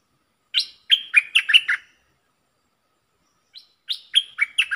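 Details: Puff-backed Bulbul kept as a decoy bird, in full song: two bursts of quick, bubbly chirps with warbled notes dipping and rising, separated by a pause of about two seconds, with no other sounds.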